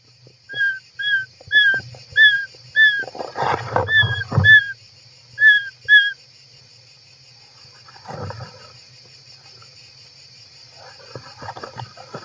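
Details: Interior of a European roller nest on 18 July 2024: a run of brief downslurred whistled notes about twice per second for six seconds, over a burst of rustling, then quiet with soft shuffling.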